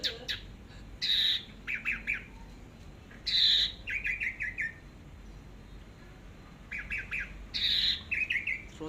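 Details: Masteran of an orange-headed thrush singing teler style: loud buzzy bursts, each followed by a string of quick descending chirps, separated by gaps of near silence.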